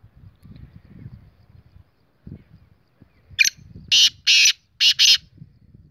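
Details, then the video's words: Black francolin, known locally as kala teetar: after low background rumble, a creaky opening note is followed by four loud, harsh, rasping notes in a quick, uneven rhythm over about two seconds. "Black frencolic voice video kala taatar voice"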